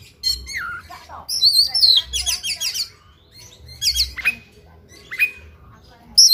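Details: Oriental magpie-robin (kacer) singing aggressively in fighting mode with full fills: quick descending whistles, dense scratchy chattering bursts and sharp high notes, in irregular loud bursts.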